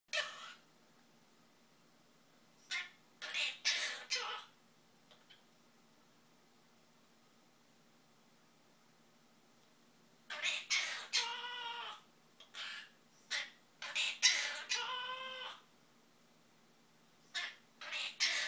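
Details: A male pet monk parakeet mimics tunes and words in bursts of harsh, buzzy, harmonic chatter separated by pauses. It sings Zip-a-Dee-Doo-Dah and the SpongeBob theme and says peekaboo, happy birthday, bye-bye and I love you, all learned after hearing a video.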